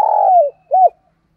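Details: Morning lure call of a spotted dove used to attract wild doves: a long, steady, low coo sliding down at the end, followed by one short arched coo, loud and clean.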